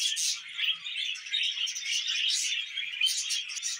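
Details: Steady high chattering of budgerigars: scratchy warbled notes running together, punctuated by brighter chirps around every second, with nothing else distinct.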